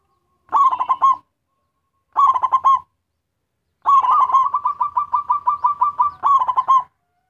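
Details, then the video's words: Energetic local zebra dove song used to lure other zebra doves: two short stuttered coo phrases, then a long run of a dozen evenly repeated quick coos ending in another rolling phrase. "Suara perkutut lokal gacor || ampuh memancing perkutut lain"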